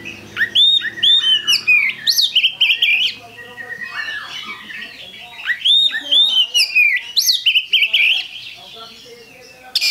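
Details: Oriental magpie-robin in continuous song: loud, varied whistled phrases with sharp rising and falling sweeps and rapid chattering bursts, a quieter patch around the middle, and a faint low hum at the start.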